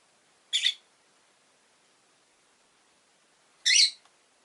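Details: Rosy-faced lovebirds, pet birds with orange faces and green bodies, five kept in a cage by a window: two short, harsh, buzzy chirps about three seconds apart, separated by quiet.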